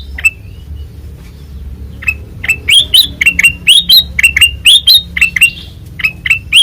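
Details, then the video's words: ['Ngeplong song of a white-eyed kutilang emas, a ruby-throated bulbul: after a quiet start, a lively run of short, clear whistled notes, each rising briefly, repeated about twice a second.'] "Suara Asli Ngeplong Kutilang Emas Mata Putih Gacor Dor"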